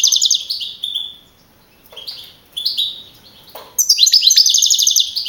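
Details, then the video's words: Caged young male European goldfinch of the field type, contest winner with 42 points on 15 April 2012 at Navalcarnero, Madrid. A rapid buzzy trill, then separate descending twitters, ending in a long high rattling trill. "JILGUERO CAMPERO CAMPEON 2012"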